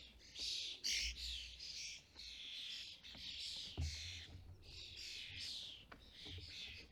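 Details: European starlings at a UK bird feeder during fledgling season, with parents feeding fledglings, give harsh, grating, buzzy calls in overlapping bursts, some squeaky and high, with low thumps and rustling in the background.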